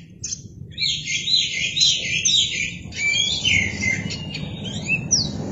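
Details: Strong lure song of an Oriental magpie-robin spreading its tail: dense, scratchy high warbling in quick bursts, then clearer whistled notes and a rising slur, over a noticeable low rumbling background.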